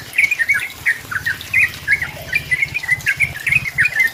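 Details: Rival-pressing Sooty-headed bulbul song, used to lure another bulbul into singing: liquid, slurred whistles and short chatter in quick succession, with a faint low pattering underneath.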